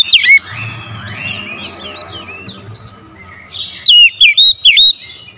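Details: Morning recording of an oriental magpie-robin as a singing lure: mostly soft, wavering warbles and faint chatter, then four loud, clear swooping whistles in quick succession near the end.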